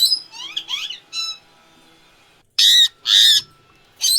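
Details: Indian ringneck parrot, with no filter or music: soft chattering, twisting notes at first, then three loud, harsh screeches separated by short gaps.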